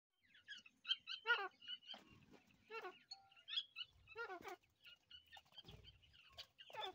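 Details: Grey francolin chicks playing, giving a busy series of short high chirps and peeps, some with rapid trills, overlapping irregularly about twice a second, with soft low rustling and handling sounds between calls.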